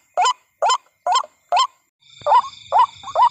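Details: Ruak-ruak lure for night trapping: four coarse, rising waterhen calls in clean silence, then three more with a brighter whistled tone over a sudden buzzing high whine and low rumble.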